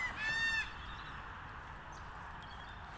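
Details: A red-tailed black cockatoo, among birds eating Casuarina nuts, gives one brief, harsh, nasal call lasting about half a second, followed by steady background hiss.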